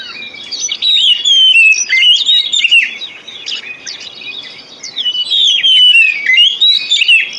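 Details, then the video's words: Oriental magpie-robin lure song, played to coax reluctant caged birds into singing: rich, varied whistled phrases with sliding notes and rapid chattering trills, in two loud bursts separated by a quieter stretch. "Pancingan Kacer Full 1 Jam Untuk Terapi Kacer Macet Bunyi,Kacer Lemot,Kacer Bahan"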